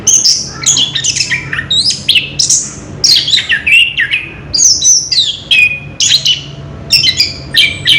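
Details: Orange-headed thrush in ngerol song, recorded 3 March 2016: a dense, continuous stream of varied high whistles, squeaky chips and downslurred notes, mimic-like and tumbling without pause.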